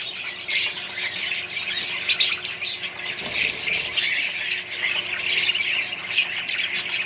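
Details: Colony of Australian budgies kept with other birds: dense, continuous high chirping and scratchy squawks overlap throughout, with many birds calling at once and no pauses.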